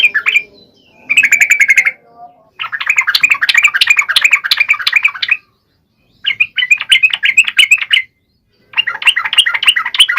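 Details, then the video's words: Sooty-headed bulbul song used to provoke males: bursts of rapid, chattering, bubbly notes, each burst lasting one to three seconds, separated by short pauses, with one brief lower note early on. "SUARA KICAU TRUCUK GACOR AMPUH BUAT PANCINGAN TRUCUK MALES"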